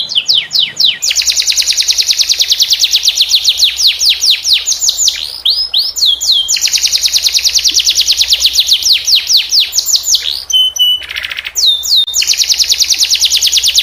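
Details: Tutor song of a canary for teaching young canaries: long fast rolling trills with downward-sweeping notes, briefly broken by a few whistled tones, sung almost without pause.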